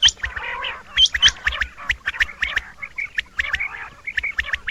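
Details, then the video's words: Male rain quail calling, with a female also present: sharp, metallic whit-whit notes repeated rapidly and overlapping from several birds, mixed with harsh, gargling chatter. "Rain Quail (Coturnix coromandelica) - Males calling"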